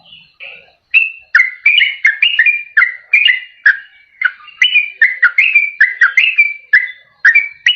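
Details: Yellow-vented bulbul song used for luring wild birds and for prompting reluctant caged singers: a lively sequence of bright, falling and rising whistles, delivered briskly and evenly.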